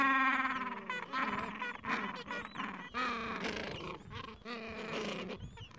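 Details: Breeding colony of gentoo penguins, Falkland Islands, mild afternoon, chicks two to three weeks old; dense overlapping brays and squawks from many birds, rapid stuttering pulses, continuous colony din.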